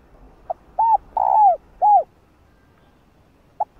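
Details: Female spotted dove cooing to stimulate males to call: one mellow phrase of a clipped opening note, an arched coo, a long falling coo and an arched coo, then quiet and one lone short note.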